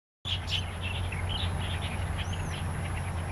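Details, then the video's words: Wild starlings and magpie-robins in Taiwan singing in their natural habitat: a run of short chirpy and whistled notes around mid-high pitch, one clear rising-falling whistle near the end, over a steady low hum and background noise. "Kemerduan burung jalak& kapasan di alam liar"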